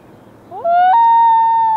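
A common loon's wail: a clear, mournful note rises briefly, then steps up to a higher pitch and is held steady. A soft hiss sits underneath.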